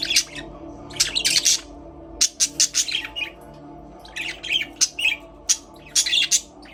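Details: A group of Australian parrots, budgies, chirping in their aviary: rapid, bright, clipped notes in lively runs, almost continuous chatter with short gaps, and a faint low hum behind.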